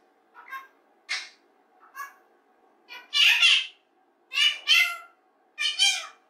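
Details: A pet rose-ringed parakeet, alone in its playroom and practising human speech and singing, babbles about eight short, raspy, voice-like phrases, some in quick pairs, at an uneven pace over a faint steady hum.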